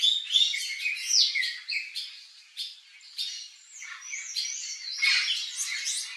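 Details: Turquoise-fronted parrot (papagaio-verdadeiro) in natural habitat in Brazil, giving harsh squawks mixed with rolling, whistled and chattering notes in rapid, irregular succession, several overlapping, loud and high-pitched throughout.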